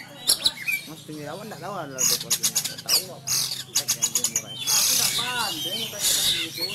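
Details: A captive Sumatran Oriental magpie-robin, kept in training at home, sings in fighting style: loud, fast song mixing high sweeping whistles, harsh buzzy notes and rapid repeated ticking bursts.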